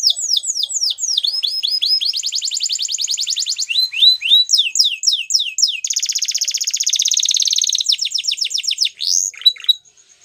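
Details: Waterslager canary in continuous song: strings of quick downward-slurred whistles alternate with sustained rapid trills, one rolling for about two seconds, ending in a few short sweeping notes.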